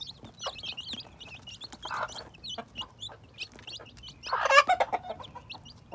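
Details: Newly hatching baby chicks in spring 2021 give rapid high cheeps, thick for the first half and then thinning, broken by a few bursts of rustling and handling noise.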